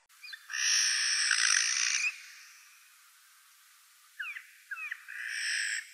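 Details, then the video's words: A Eurasian jay gives a loud, harsh, tearing screech lasting over a second, followed by a few short clicking notes and a second rasping screech. "Сойка / Eurasian jay"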